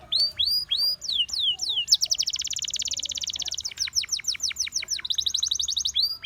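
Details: Gloster canary song mixing looping whistled notes with a long, intense, very fast trill, followed by a run of clear down-slurred notes and another high buzzing roll, over a faint low background hum.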